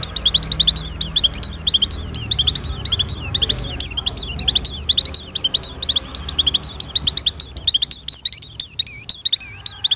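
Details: Continuous shrill chattering song of an Oriental white-eye in breeding condition, used as a lure for other white-eyes. Fast, closely spaced, whistled notes repeat steadily throughout, with almost no gaps.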